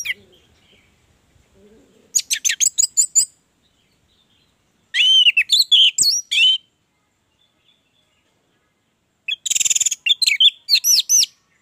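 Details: Orange-headed thrush in strong song, used as a lure for other thrushes: three separate phrases of rapid, high, stuttering notes and looping whistles, each lasting about a second and a half with long silent gaps between.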